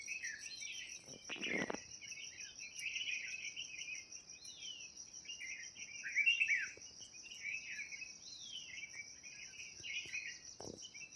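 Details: Birds chirping around a village in Uttarakhand, giving scattered short twittering chirps and quick descending slurred notes over a steady high-pitched insect drone that runs throughout.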